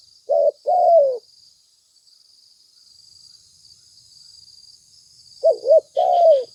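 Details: Spotted dove lure call, two phrases separated by a long pause. Each has short hollow notes leading into a drawn-out descending coo, over a constant buzzing insect background.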